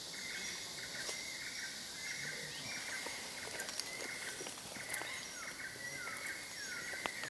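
Blue-rumped pitta giving soft, steady whistled notes, repeated over and over at one pitch, some ending in a slight downward slur, over constant insect hiss and scattered ticks.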